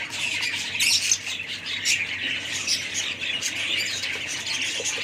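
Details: Several budgerigars keep up a continuous, busy chatter of high twitters and rasping squawks that overlap into a steady warbling wash, with louder bursts now and then.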